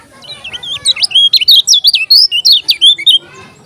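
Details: Lombok yellow-crowned bulbul delivering an energetic string of loud, clear warbled whistles, notes rising and dropping in quick succession for about two and a half seconds before trailing off; faint hum in background.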